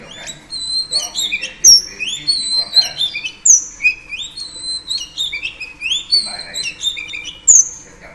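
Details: Singing female oriental magpie-robin, whose song is meant to excite males, gives varied sweet whistles. Rising slurs alternate with sharp high notes in bursts about every second.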